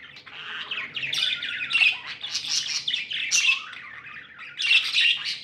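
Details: Chattering happy pet budgies: a steady stream of squeaky chirps and gurgling warble, with louder squawky accents near the start, middle and end.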